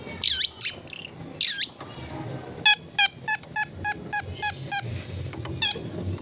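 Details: Long-tailed shrike in rich, full song with a clear voice: two loud looping whistles that sweep down and back up, then a run of about ten evenly spaced sharp ticking notes, ending with one more whistle.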